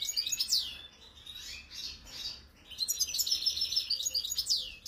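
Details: Wild-caught European goldfinch, Algerian bird keeping, sings a lively, high twittering song of quick slurred whistles, buzzy trills and sharp chirps in two bursts with a short lull between.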